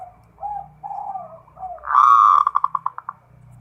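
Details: Zebra dove of a local strain in full song: low soft coos, then a loud rising phrase breaking into a quick series of evenly spaced pulsed notes, with faint low rumbling in the background.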